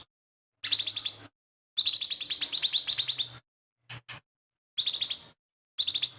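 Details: Energetic song of a lesser green leafbird, said to mimic sparrows, shrikes and other birds; dense bursts of quick, buzzing chirps, one lasting nearly two seconds, plus a few faint ticks between phrases.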